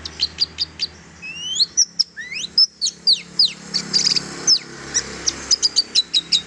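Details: Long-tailed shrike song for encouraging silent shrikes to sing: rising whistled slurs, then fast series of high clicking chirps repeated in quick succession.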